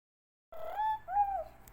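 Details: Green pigeon call used as a lure to attract green pigeons: two clear whistled notes, the first drawn out and slightly rising, the second a short arched whistle, carrying soft overtones, against a quiet background.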